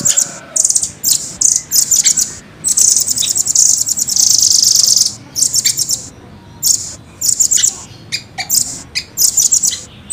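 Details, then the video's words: Rambatan, the velvet-fronted nuthatch, in full clear song: strings of high, rapid, tightly packed chips rolling into long trills, with one continuous buzzy roll lasting about two seconds near the middle. "Rambatan gacor jernih,speed rapat ngeroll panjang"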